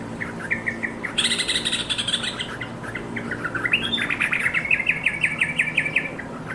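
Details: Yellow-vented bulbul (Pycnonotus goiavier), calls: prompting other bulbuls to start calling.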